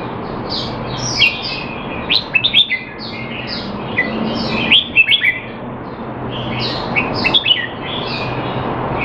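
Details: Caged male Red-whiskered bulbul kept in Singapore, being trained to keep him sharp while out of form, 25 December 2020: short bright whistled phrases of quick rising and falling notes in bursts about every two to three seconds, over steady background hum.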